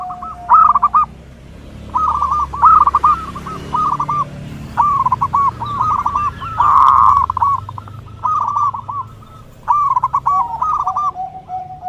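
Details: Perkutut, or zebra dove, song recorded for training and luring: phrases of fast, bubbling coos recurring every second or two over a low background rumble.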